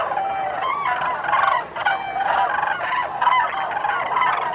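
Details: Flock of Common Cranes recorded in Tierra de Campos, Zamora, Spain, giving loud, rolling trumpeting calls that overlap continuously, with several birds bugling at once and no other clear sounds.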